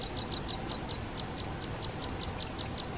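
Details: Water pipit in the Hrubý Jeseník mountains, Czech Republic, a breeding area, giving a quick run of thin, high, slightly falling notes, about five a second, over a low steady rumble.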